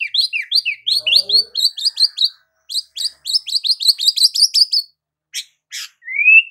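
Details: White-rumped shama in energetic song: fast, high, chattering runs of short sliding notes with sharp clicks on top, broken by brief pauses and ending in one long rising whistle.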